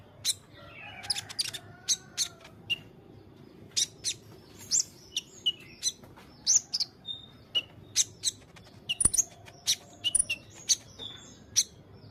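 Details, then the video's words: White-rumped shama song used as a master recording for training songbirds: sharp high clicks and short whistled notes in scattered bursts, with a few lower slurred phrases at the start. "masteran burung kicau#muraibatu"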